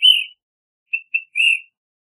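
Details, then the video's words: Ash-throated Flycatcher: a burry whistled note, a short pause, two quick clipped notes, then another drawn-out rough whistle, close and clear with no other sounds. "Ash-throated Flycatcher Song! Call! Sound! Singing!"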